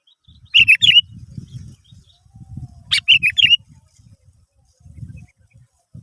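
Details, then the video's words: Sooty-headed bulbul, a lure recording meant to prompt other birds to sing: two brisk, chirpy phrases of a few clipped notes, roughly two seconds apart, over soft low rumbling handling noise. "Pancingan Burung kutilang"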